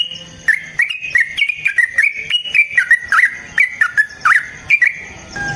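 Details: Yellow-vented bulbul long fighting song for training: a series of sweet, slurred whistles rising and dipping, some notes twisting sharply, spaced about three per second over a low steady background tone.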